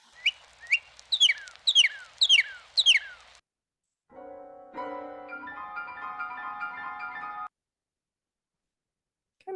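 Northern Cardinal song: six loud, clear whistles sliding steeply downward, about two per second, followed by piano chords.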